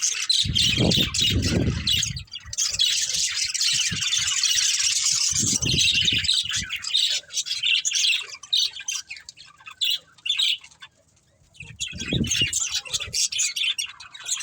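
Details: Several pet budgerigars playing and eating, giving a dense, continuous stream of high, scratchy chirps and squawks with rapid warbled twitters. Low thumps and knocks are heard now and then, and there is a brief lull near the end.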